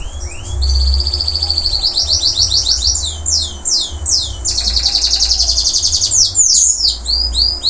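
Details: Post-moult local canary in full voice. A long, varied, high-pitched song of rapid chattering trills, rolling repeated notes and clusters of sharp descending swoops runs almost without pause for nearly eight seconds, with a low background hum.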